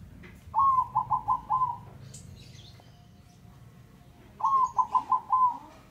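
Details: A male zebra dove sings two phrases of five quick, soft, bubbling coos each, about three seconds apart, over a faint low hum.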